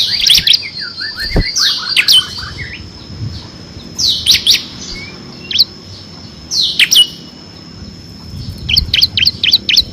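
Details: Ciblek kristal, the bar-winged prinia, recorded for tutoring contest birds: spaced bursts of sharp high notes mixed with descending slurred whistles, several second-long gaps, and a faster chirp cluster at the end.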